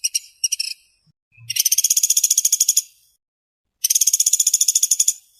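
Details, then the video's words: Actively calling woodpecker known as pelatuk sampit or pelatuk beras: short clipped rattles, a faint low thump, then two long runs of fast buzzy pulses, each over a second, separated by a silent gap. "burung pelatuk gacor speed rapat"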